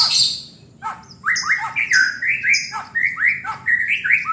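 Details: White-rumped shama in full song: a rapid string of loud slurred whistles and sharp high notes, varied and continuous.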